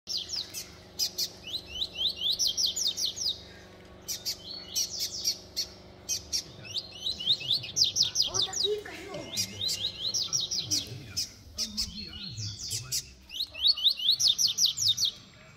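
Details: Young brown-plumaged double-collared seedeater males, bred in captivity, compete in song at about one in the afternoon, giving rapid, high twittering phrases in repeated bursts.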